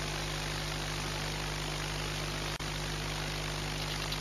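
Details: Loud, steady engine or aircraft drone with a constant hum, no animal sound heard.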